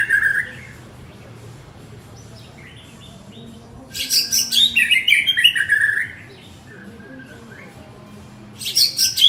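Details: Male white-rumped shama calling his partner, giving bursts of loud, rich, varied whistles and chirps with quiet pauses between phrases, against a steady low background hum.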